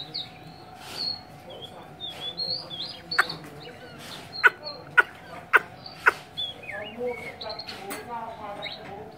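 A Chinese hwamei gives varied, rich whistled phrases that rise and fall, over a steady electrical hum and four sharp clicks midway.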